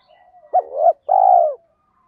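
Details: Spotted dove singing a kích bổi style coo: a short sharp upward note running into a wavering hoot, then one long, steady, slightly falling coo. Faint softer warbling sits quietly in the background.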